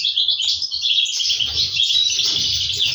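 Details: Chicks of the European goldfinch begging while parents feed them, aviary recording from 2023; dense, harsh, high twittering that swells after the first second and stays loud, over low background thumps.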